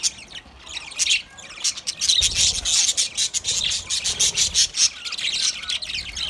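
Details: A group of budgerigars chattering to each other, giving a dense, almost unbroken stream of high scratchy chirps and trills that rise in intensity after the first two seconds.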